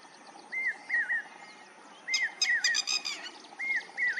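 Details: Outdoors, a lapwing repeats sliding whistled notes: each climbs sharply, then falls into a short quavering tail, given in twos with gaps. A burst of rapid, harsh, stacked chatter sits in the middle.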